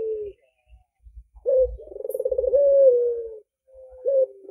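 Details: Barbary dove, albino with red eyes, cooing: a short clipped note, then a sharp rising note leading into a long vibrating coo that smooths and falls away, followed by another brief note. Soft low thumps sound in the background.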